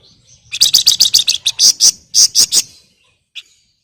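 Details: Flamboyan female calling a male: a loud, fast burst of high, harsh chattering notes, roughly a dozen in two seconds, then a single short chip after a pause.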